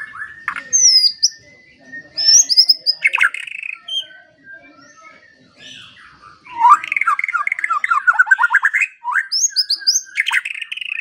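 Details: Training song of a white-rumped shama, played mornings and evenings to coax quiet birds into singing: high sweeping whistles and sharp notes, a pause, then a long run of quick rising chirps.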